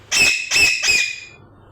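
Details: A parrot squawks three times in a row, loud harsh rasping calls about a third of a second apart, each fading slightly into a quiet background.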